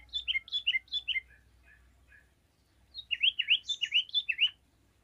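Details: Yellow-vented bulbul singing, answered by other bulbuls: a set of clear, downslurred whistled notes. A short gap follows, then a brighter bubbly phrase of twisting notes over a faint low hum.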